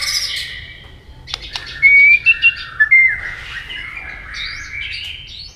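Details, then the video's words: White-rumped shama delivering a double-note fighting song, with tail flicks, to work up rival aggression. Clear, loud whistled notes and short bright slurs, preceded by a sharp click, then a softer warbling continuation. "chòe lửa tạch đuôi âm kép kích lửa hiệu quả.dìu lửa chuyền mùa 2 hót đấu lên lửa cực nhanh"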